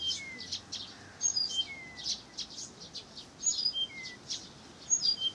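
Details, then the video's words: In Pavlodar, a Blyth's reed warbler pours out quick chattering high notes broken by thin descending whistles every second or so, the phrases varied and unbroken over a faint natural background. "НА КОНЦЕРТЕ САДОВОЙ КАМЫШЕВКИ В ПАВЛОДАРЕ"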